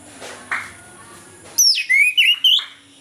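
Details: Morning song of an orange-headed thrush, used to coax lazy birds to sing: after a faint hiss, loud clear whistles sweep down then rise in quick linked phrases, with a steady high background hum.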